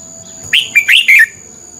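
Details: Red-whiskered bulbul lure bird in contest song: one brief phrase of four bright, liquid whistled notes, sliding up and down, against a faint constant high hum.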